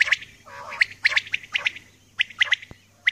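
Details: Early-morning calling of a female common quail, a run of scratchy clipped notes in quick clusters with gaps, then single sharp bursts near the end, over faint background hum.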